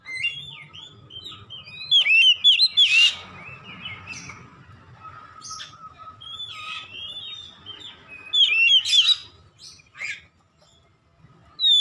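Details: Oriental magpie-robin (kacer) in lively 'ngeplong gacor' singing intended for training home birds: chains of slurred whistles with two loud bursts of sharp ringing notes, a rasping note between, and a faint steady hum.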